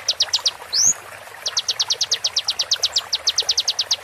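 Cinereous Tit giving fast runs of sharp, high ticking notes, about eight per second, broken by one quick rising whistle; faint background hiss.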